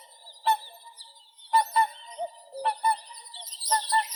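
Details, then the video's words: Whooper swan with paired honks repeated about once a second, each a short nasal trumpet note, over hissing high-pitched background noise that grows louder toward the end. "Голоса птиц Как поёт Лебедь кликун (Cygnus cygnus)"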